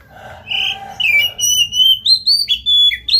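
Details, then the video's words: Prolific Oriental magpie-robin singing to provoke another bird into song: a rough opening note, then a quick series of sweet, piercing whistles, some steady and some sliding up or down, delivered almost without pause. "JANGAN BIARKAN KACER ANDA MEMBISU pacing DENGAN KACER GACOR INI"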